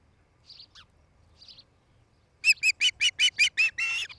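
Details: Osprey pair at their nest near Charlo, Montana, on a nest camera, 8 July 2018, late afternoon; a few faint chirps, then a loud run of about eight sharp, harmonic-rich cheeping notes at steady quick spacing, ending in a longer buzzy note.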